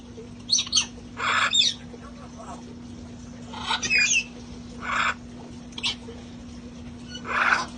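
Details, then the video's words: Outdoor parrot flock at play, before it got cold. Scattered harsh squawks and thin chirps are spaced a second or so apart, with faint talking and a low electrical hum. "sounds of parrots having fun outside"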